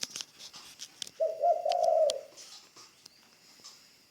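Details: Spotted dove kept as a decoy bird in training, giving a single low, hoarse, rolling coo lasting about a second, with faint clicks and chirps in the background.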